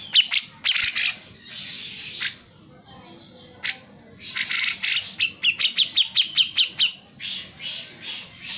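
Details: Grey-cheeked bulbul singing vigorously as a prompt for reluctant singers: harsh raspy bursts, a pause, then a long run of quick clipped whistled notes delivered rapidly before more grating chatter.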